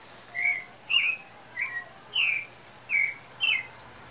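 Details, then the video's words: {'caption': 'Pale-breasted thrush song, breeding season apparently approaching: six crisp whistled notes spaced about half a second apart, alternating lower flat whistles with higher, slightly buzzy falling ones.'} "Sabiá Branca Cantando Afinado"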